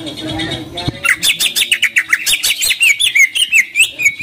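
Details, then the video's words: Greater green leafbird, a lively singer used to stimulate other leafbirds to sing and fight, giving a fast run of bright, high chirps and slurred whistles repeated about three times a second after a short low murmur. "CUCAK IJO GACOR !! COCOK BUAT PANCINGAN CUCAK IJO KURANG NGOTOT / TARUNG"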